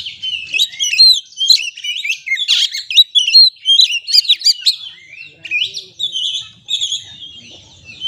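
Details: Oriental magpie-robin lure song to prompt stressed kacer into full singing: rapid varied phrases of sweet whistles mixed with scratchy chirps, about two to three notes per second, a brief lull near the end.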